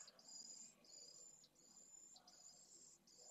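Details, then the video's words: Pallid swift chicks calling for food inside their nest, Jerez de la Frontera, 8 September 2022, from a live nest camera: sharp, high, buzzing trills repeated in short bursts with quick gaps, plus faint shuffling below. "CHICKS ASKS FOOD.VENCEJO"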